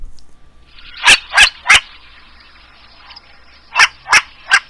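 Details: A Long-eared Owl gives a harsh, barking alarm call in two quick bursts of three, each bark sharp and rasping, with a faint hiss between them; this alarm can sound much like a Short-eared Owl's bark.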